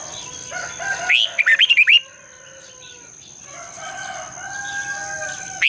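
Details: Red-whiskered bulbul singing in the morning, a long twisted double-voiced song used as a lure to stir other bulbuls to sing: one loud burst of rapid warbled, rolling notes, softer whistles from other birds after it, a steady high tone throughout.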